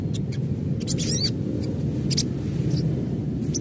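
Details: Adult crimson sunbird calling in a natural setting: brief, very high, sharp chirps and a short twittering burst, scattered over a steady low rumbling background noise.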